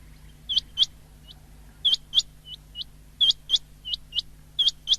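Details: Common quail recorded on 19 February 2024: sharp, high, upward-flicking notes mostly in pairs, with fainter single notes between, repeated in quick bursts roughly every half to one second; steady low hum underneath.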